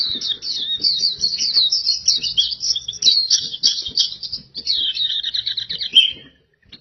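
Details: Oriental white-eye singing gacor: a long, rapid, high-pitched warble of tightly packed chirping notes for about six seconds, ending in a slightly lower slurred note, then quiet.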